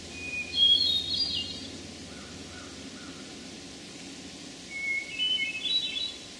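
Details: Hermit Thrush song from Memorial Forest in Sudbury, Massachusetts, June 11, 2012: two flutey phrases about four seconds apart. Each begins with a clear held whistle, then climbs into quick ringing, tumbling higher notes over a soft woodland hiss.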